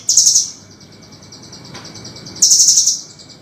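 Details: Velvet-fronted nuthatch used as a master for training songbirds: two short rapid trills of piercing high notes about two seconds apart, with soft echoing ticks between.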